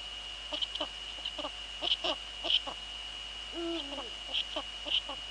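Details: Eurasian eagle-owls, female on the nest and male nearby, Netherlands, 2 February 2013 at 19:15: soft scattered downslurred notes and one longer wavering hoot mid-way, fairly quiet against a persistent high whine.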